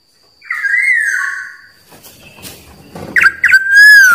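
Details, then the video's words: Wild black-naped oriole singing, a sound used to call out rivals: a long fluty whistle, a pause with faint rustling, then short chirps and a loud, clear, slurred whistle rising and falling. "Suara Burung Kepodang liar Paling Ampuh Memanggil lawan"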